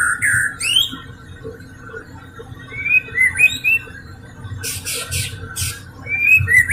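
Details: White-rumped shama song played to coax quiet shamas into singing: a high sweeping note, several short whistled phrases, then harsh scratchy bursts and closing clear whistles, over low background hum.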